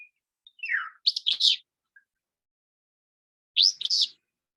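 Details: Willow flycatcher (Empidonax traillii) song: after a short slurred downward note, its sneezy, buzzy two-part 'fitz-bew' song twice, about two and a half seconds apart; a distinctive, easily identified song.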